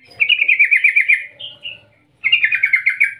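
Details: Yellow-vented bulbul (trucukan) calling in the long rolling 'ngerol ngetir' style, used to lure other bulbuls into singing: a fast rattling chatter of repeated notes, a brief higher whistle, a pause, then another rolling chatter.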